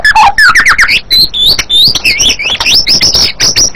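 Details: White-rumped shama song, a loud, dense run of varied whistles and sweeping notes, some rising and some falling, packed closely with brief gaps and no other sounds standing out.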